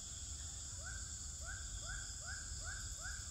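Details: Swiftlet chirping in a three-storey swiftlet building in Pekanbaru, Indonesia, twelfth day: six clear upswept chirps at regular intervals of about half a second, over steady mechanical humming.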